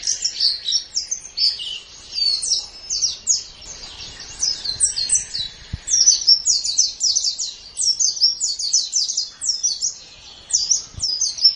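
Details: Japanese white-eye singing a lively, unbroken chatter of very high, sweet chirps and short downslurred notes, delivered in dense bursts with brief pauses, clean recording for tutoring pet songbirds.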